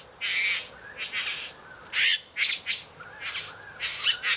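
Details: A male Satin Bowerbird courting a female gives harsh, rasping buzzes in short bursts, six or seven in about four seconds, as part of his courtship display with exaggerated dance movements.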